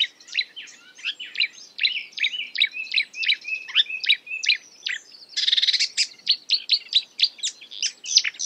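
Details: Marsh warbler (Acrocephalus palustris) imitating other birds with a continuous busy sequence of high chirps, twitters and a short buzzy rattle, delivered at a rapid, irregular pace.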